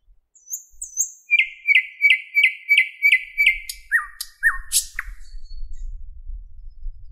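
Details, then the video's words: Thrush nightingale singing in a Moscow park on 11 May 2016 at 08:15, recorded on a Panasonic Lumix camera with a Tascam microphone: a run of about eight identical bright notes, then short descending whistles and sharp clicks, with faint low rumble. "Как поет соловей? Голоса птиц. Nightingale singing."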